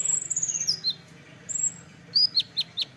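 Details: Olive-backed sunbird (kolibri ninja) giving a long, thin, high whistle that slides downward, then a short whistle and a few sharp squeaky downslurred chips, with a faint low hum behind.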